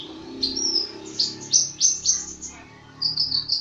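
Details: Songbird repeating sharp, high, downslurred chips in a quick series, then a short fast twittering trill, over a soft low hum.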